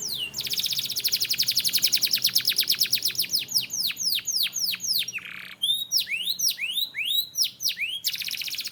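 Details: Training song of a canary: a long fast tour of repeated downslurred notes, loud and even, then looping whistled slurs, a short buzzy nasal note, and a closing rapid high trill.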